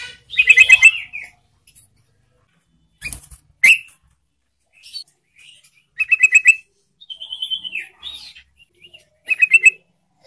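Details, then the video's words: Yellow-vented bulbul song used as a lure to get silent bulbuls singing: bursts of rapid, bubbly chattering notes, four short phrases in ten seconds, with a slurred rising-falling whistle between them. "TRUCUK DIAM jadi RAJIN BUNYI dengan PANCINGAN TRUCUKAN ini"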